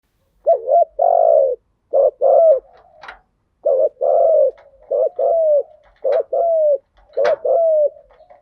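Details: Spotted dove lure song of male and female birds, in thúc gù and gáy gọi styles, used to stimulate decoy doves: low mellow coos in pairs, a short double note then a longer falling coo, repeated four times with brief clicks between.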